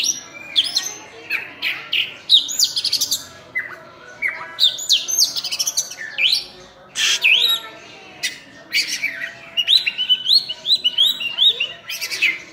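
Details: Oriental magpie-robin, known locally as burung cincim pala, singing vigorously: varied loud whistles, scratchy bursts and downslurred phrases alternate, ending in a fast series of rising whistled notes.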